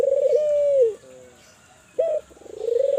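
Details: Lively Kelantan spotted dove call, aimed at getting other doves to call. A sustained mellow coo fades out, a pause follows, then a short clipped note and the quavering start of the next coo.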